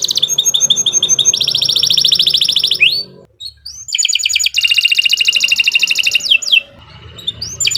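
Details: Long, non-stop canary song meant to prompt pet canaries to sing: steady, fast buzzing trills in long bursts, broken by a rising sweep and a brief pause before another sustained trill.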